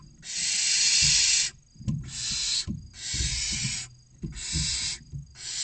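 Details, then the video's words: Barn owl chicks, six of them between 16 and 29 days old, beg for dinner in their nest box in central Spain: repeated breathy, snoring screeches of uneven length, with low bumping and shuffling underneath. "Los seis pollitos esperando la cena - Lechuza común"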